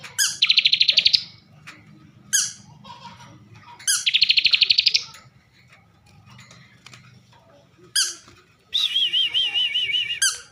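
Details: Filled song of a caged bar-winged prinia from Slawi, Tegal, Central Java. Two dense buzzy rattles are set apart by sharp single notes, and a final rolling, undulating whistled phrase closes it.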